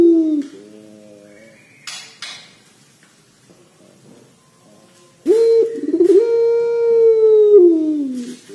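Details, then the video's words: Vocal Barbary dove giving the long cengkok panjang coo: a short falling coo first, then a quiet gap, then a sustained, steady, trilling coo of nearly three seconds that ends by dropping in pitch. A brief scratchy noise burst falls between them. "PUTER PELUNG GACOR SUARA CENGKOK PANJANG"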